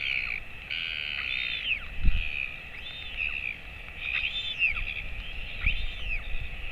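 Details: Royal albatross at a nest, with the father feeding a chick about 217 days old, 28 August 2024 at 11:35 am: high, arching squeals about every second, with wind rumbling and occasional low thumps.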